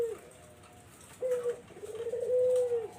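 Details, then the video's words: Barbary dove calling, used as a lure for zebra doves: a brief low coo at the start, then a smooth, drawn-out, steady coo lasting over a second after a short pause, with faint background hiss. "SUARA BURUNG PUTER BUAT PANCINGAN BURUNG PERKUTUT"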